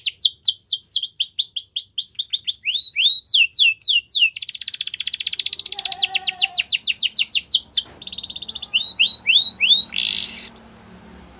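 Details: Long canary song of varied phrases: repeated descending whistles, a rapid rolling trill, a lower sustained tone, then a harsher buzzy burst and scattered swooping notes near the end.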